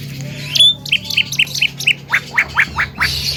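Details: Javan myna, a talking cage bird, gives a string of short clipped high notes, about four per second, shifting into a run of sharp downward-sweeping chips, with faint low background hum.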